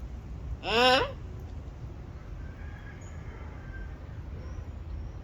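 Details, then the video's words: A talking Turquoise-fronted amazon (Amazona aestiva) eating papaya gives one loud, harsh, voice-like squawk about half a second long that rises and then drops, followed by quiet background rumble. "Loro hablador"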